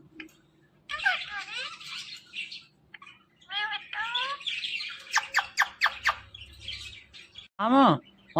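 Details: Talking Indian ringneck parakeet producing a rapid run of chattering, voice-like syllables with sweeping pitch, several sharp clicks, and a loud wavering screech at the end.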